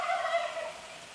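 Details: Neighbourhood male wild turkey gobbling at 4:45 in the morning, recorded a few feet away and gobbling about every 30 seconds: a loud, rapid, rolling gobble of throaty notes that trails off over about a second.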